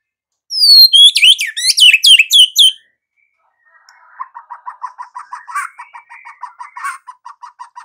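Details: White-rumped shama in full, active song: a burst of loud, high, downward-sweeping whistled notes for about two seconds, a pause, then a softer, lower series of quick repeated notes, about four per second.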